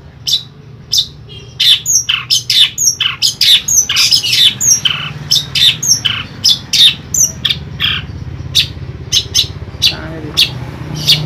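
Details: A kept Long-tailed Shrike in Pemalang, Central Java, Indonesia gives harsh, scratchy high notes in quick irregular bursts, roughly one a second, over a low indoor hum.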